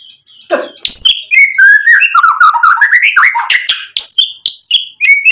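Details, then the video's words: A White-rumped shama sings a dense, continuous stream of mixed phrases, with harsh chatters, sweeping whistles and a long run of notes that steadily climbs in pitch, then sharp high accents close together. "MURAI BATU GACOR buat PANCINGAN agar BUNYI NYAUT emosi BONGKAR MATERI ISIAN | SHAMA BIRD"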